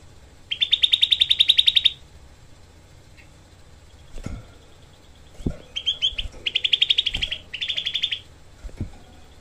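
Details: Grey-cheeked bulbul, a small caged songbird kept as a tutor for training other songbirds. It gives dense, harsh 'tembakan' (shot) bursts: rapid, evenly spaced buzzy notes, several strings of about ten to twelve notes each, with a few soft knocks between.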